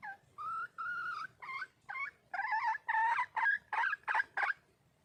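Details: Female red junglefowl calling for a mate: a long series of loud, harmonic, whining notes, at first long and level, then shorter, wavering and choppier, quickening toward the end.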